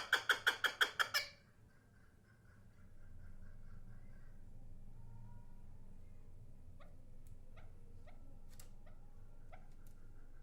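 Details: Chukar partridge calling: a quick burst of about seven loud, harsh, evenly spaced chuck notes in the first second, then near silence with faint low hum and a few soft clicks.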